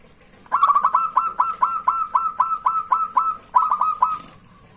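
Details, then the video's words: Clear song of a local zebra dove (perkutut), meant to draw rivals: a quick, slightly uneven series of clipped cooing notes, about four each second, lasting roughly three and a half seconds over a quiet background. "Suara perkutut lokal jernih ampuh mancing lawan"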